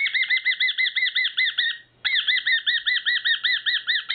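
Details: Excited male whiteface cockatiel making its rarely heard bizarre call: fast, even series of raspy arched notes, roughly four per second, broken by one brief pause midway.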